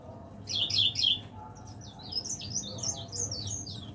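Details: High twittering from a caged leaf warbler that sings from morning till afternoon: a loud cluster of sharp chirps, then a string of rapid thin downslurred notes, over low hum.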